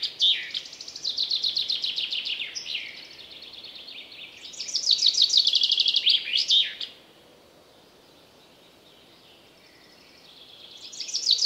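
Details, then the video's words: Chaffinch song in woodland, two loud phrases of quick, rattling repeated notes, each ending in a short emphatic flourish, separated by softer twittering; after the second phrase a quieter pause, then another bird starts up. "Chaffinch Singing In The Forest"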